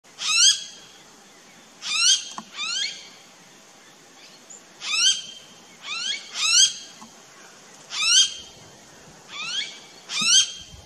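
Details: A Blue-faced honeyeater in an Australian backyard garden gives sharp, upslurred piping notes, mostly in pairs, about every one to two seconds, over a quiet background.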